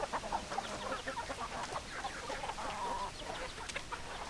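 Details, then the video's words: Chickens cluck in a lively jumble of short notes, with one drawn-out, level call near the middle and a faint hum underneath. "Chicken Sounds Noises Hens Clucking Roosters Crowing"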